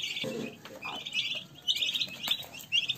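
A group of turkey poults peeps continuously in high, thin, overlapping notes. A brief low, throaty sound breaks in near the start.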